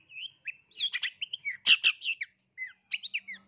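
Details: Long-tailed shrike singing to find a rival. Quick slurred whistles and chirps are broken by two loud harsh rasps midway, then more twisting whistled notes over a faint low hum.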